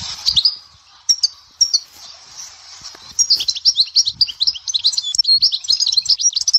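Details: Song of a European goldfinch at Dahouara, Souk Ahras: a few scattered high chirps separated by pauses, then from the midpoint a continuous, rapid, jingling twitter to the end.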